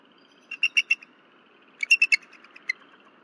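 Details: Nest-cam recording of a disturbed female bald eagle calling at night at Berry College, February 15, 2023. Two quick series of thin, high chittering notes, three to five notes each, separated by a pause.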